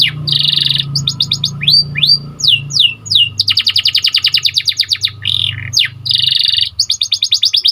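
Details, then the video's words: White canary song recorded for training canaries to sing more: a steady buzzing roll, then rising and falling slurred whistles, long rapid chopped trills and more rolled phrases in quick succession, clean and loud. "Pelatihan burung kenari agar semakin gacor"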